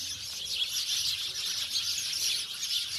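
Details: A village flock of house sparrows keeps up a steady wash of bright, overlapping chirps, many birds calling at once in a busy, unbroken chatter.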